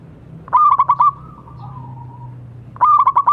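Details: Zebra dove, a local bird in full song, meant to encourage silent doves: two quick trilled phrases of soft cooed pulses, separated by a thin, slightly falling drawn-out tone.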